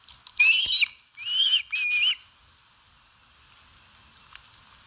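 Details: Osprey eating at its nest in Satakunta, Finland, 4 August 2022, filmed by a live nest camera; three quick whistled, slightly wavering calls in the first two seconds, then quiet with faint ticks.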